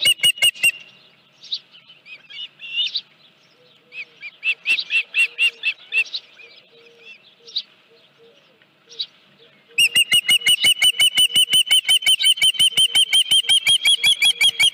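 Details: Osprey calling at the Dunrovin Ranch nest, 31 July 2018, 9:43 AM, headless fish at the nest: a few sharp whistles, then softer mixed chirps, then a long, steady run of fast, evenly spaced piercing whistled notes, nearly three per second.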